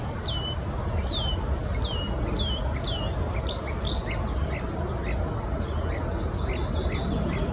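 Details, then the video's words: Marsh warbler singing in Bitsevsky Forest: a run of sharp, downward-sweeping whistled notes about once a second, then quicker scratchy twittering phrases, over a steady roar of background noise. "Болотная камышовка. Битцевский лес"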